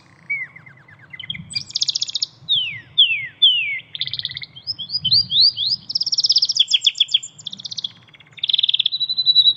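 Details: Canary singing in nature: a long varied song of rapid trills, descending whistled sweeps and buzzy repeated phrases, with a low steady hum underneath.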